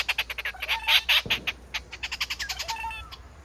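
Rufous treepie giving a fast run of harsh, rasping notes, about six a second, with a few brief lower tonal notes mixed in.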